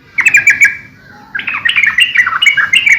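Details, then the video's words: Training and luring recording of a sooty-headed bulbul: a quick chirpy phrase fading into a thin note, then a bubbling, jumpy run of warbled notes. "suara trucukan gacor COR buat masteran / pancingan trucukan agar burung trucuk gacor"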